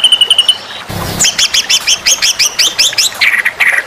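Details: White-rumped shama masteran for contest birds: a short high trill, a brief noisy flutter, then a rhythmic series of paired rising whistled notes repeated roughly five times a second, closing with buzzy chips.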